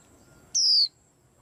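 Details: Single bright, piercing whistle from a white-eye amid a commotion, starting very high and gliding down over about a third of a second.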